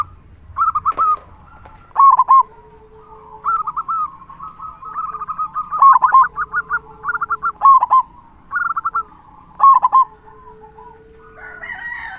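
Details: Local zebra dove known for a big 'kung' voice, sung to rouse silent doves into song. Almost continuous rolling coo phrases with sharp stuttered openings repeat every second or two, over a faint hum and a steady lower tone.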